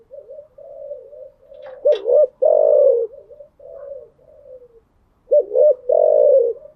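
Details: Spotted dove cooing in the early morning, a low hooted phrase with soft wavering notes leading into two loud emphatic coos, then a pause and the phrase again.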